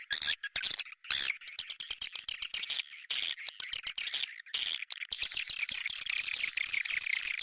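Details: Bintang utara style call meant to draw swiftlets. Long rasping, chattering twitters come in surges with short gaps, growing into an unbroken, shimmering stream of high buzzy notes.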